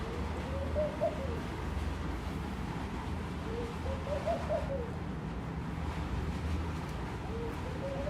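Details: Laughing dove calling from a room window, giving soft, bubbling low coo phrases of several quick rising-and-falling notes, three phrases spaced a few seconds apart over a steady low hum.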